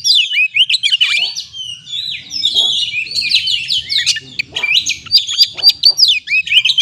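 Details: Energetic kacer song, from an Oriental magpie-robin, used as therapy for stressed birds: a nonstop tumble of loud whistles, downslurred notes and sharp clicks, crowded and fast, with a soft low hum underneath.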